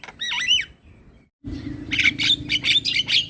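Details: Asian pied starling singing, kept as a morning tutor recording for learning birds: an opening warbled, bending whistle, a brief pause, then rasping chatter over a low background hum.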